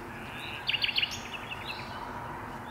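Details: At dusk a common nightingale sings from deep in birch bushes, with two birds in the area: three clipped, bright notes in quick succession, then softer trailing notes fading into background noise.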